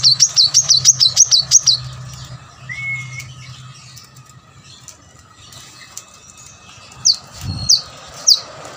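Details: Plain-throated sunbird in full, energetic song, played as a lure to make lazy-singing birds start calling: a fast burst of about nine high, wavering notes over two seconds, then a thin level whistle and a few sharp isolated notes near the end.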